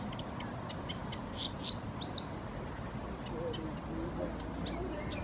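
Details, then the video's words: Concealed bird singing in Helsinki, Finland, giving a few clear whistled notes and a bright slurred phrase early on, then sparse faint ticks, all over heavy low-pitched background noise. "Lintu laulaa piilossa"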